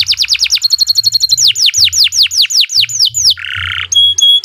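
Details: Canary in song, recorded as a model for training other birds: rapid trills of descending whistled notes, then slower sweeping downslurs, a buzzy harsh burst and high ringing notes; faint low hum beneath.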